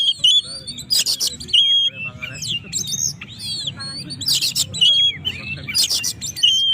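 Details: Oriental magpie-robin singing to provoke rivals: rich, varied stream of sharp whistled notes, twisting slurs and high glides broken by harsh rasping bursts, delivered in quick phrases against a soft low background hum.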